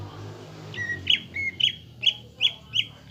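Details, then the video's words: Lure song of a greater green leafbird, meant to rouse young or silent caged leafbirds into a fighting mood: five clear whistled notes with high sharp onsets, repeated roughly every third of a second over a noisy low hum. "PANCINGAN CUCAK IJO GACOR AGAR EMOSI UNTUK MEMBENTUK MENTAL FIGHTER"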